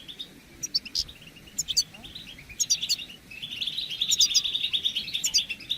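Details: Several European goldfinches chattering together, a recording aimed at prompting males to sing and breed; scattered sharp tinkling notes build into a continuous, dense twittering stream toward the end.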